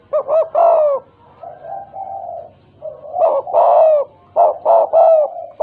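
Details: Spotted dove (tekukur), tame and a keen caller, in stuttering 'gagap' style: a few sharp clipped coos, a quiet drawn-out low coo, then a fresh series of quick, stammering hoarse notes.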